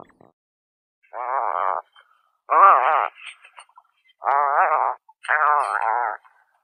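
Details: Tufted puffin (Fratercula cirrhata) giving four low, rough, groaning calls, each about half a second to a second long, with short gaps between; nothing else heard.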